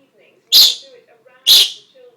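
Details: A pet parrot copying its owner's sneezes: two sharp, explosive sneeze-like bursts about one second apart, with faint soft chatter between them.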